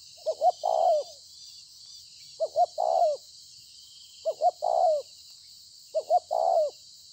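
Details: Spotted dove (bổi), praised for cooing well, on 26 September 2020, gives four evenly spaced phrases: two quick soft hoots, then a drawn-out coo that slides down at the end. Constant faint hiss behind.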